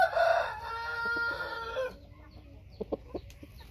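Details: White-tailed Thai rooster crowing: one loud, harsh, strongly harmonic crow held for about two seconds and ending abruptly, followed by a few short, soft clucks.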